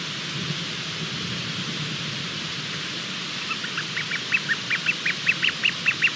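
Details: Cahow chick on a nest camera during hatching, 23:14 on 28 February 2020; three and a half seconds of hiss only, then thin peeps begin and quicken into a rhythmic string, each note a little louder, several per second.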